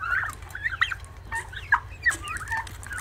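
Turkey poults peep together in a busy chorus of short, thin, rising and falling chirps, several overlapping each second, over a low steady hum.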